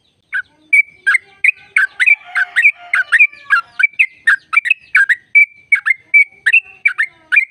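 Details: Long, unbroken "ropel" trill of a sooty-headed bulbul, played to stimulate other bulbuls: dense, rapid, ringing chirps with whistled slurs, briefly thickened by a buzzy layer, running on for over seven seconds.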